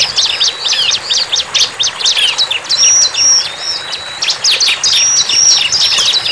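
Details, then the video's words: Bar-winged prinia in the wild giving rapid high chirps in bursts, broken by long, flat, piercing whistles midway and near the end. A soft insect-like hiss lies beneath. "CIBLEK GACOR"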